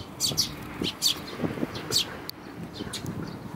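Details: Fledgling Eurasian tree sparrow up in a tree at Ohori Park, 7 May 2015. It gives sharp, high chirps in quick bursts, about five in the first two seconds, then softer scattered chirps over a low background rumble.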